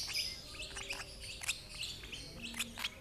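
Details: Lovebird chick fed by an older sibling from the same parents: thin high chirps and clicks repeat roughly every quarter second, steady and close.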